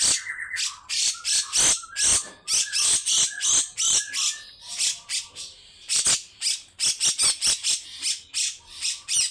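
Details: Grey-cheeked bulbul in a long stream of coarse besetan rattles. Rapid harsh notes come nearly three times a second, interleaved with brief mid-pitched whistled notes.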